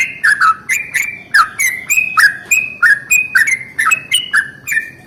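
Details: Morning song of a yellow-vented bulbul in the long rolling style, used to spur other bulbuls to sing: quick, liquid chirps in an unbroken chain, each note starting sharply and sliding down, evenly loud throughout.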